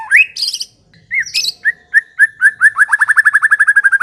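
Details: Caged white-rumped shama in full song: rising whistled notes and harsh squawks, then a fast laughing run of short clipped notes repeated about four times a second and accelerating to the end.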